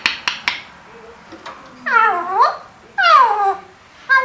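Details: Pet Eclectus parrot, five years old, which talks and repeats sounds it hears around the house. Several clicks, then two wavering, voice-like phrases that swoop down and up, indoors.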